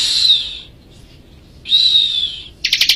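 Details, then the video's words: Vigorous song of a bar-winged prinia, Majalengka, suited for tutoring other birds: two sustained, piercing whistled notes, each sagging gently in pitch, separated by a brief pause, then the start of a fast buzzy trill. "Burung ciblek gacor cocok buat masteran"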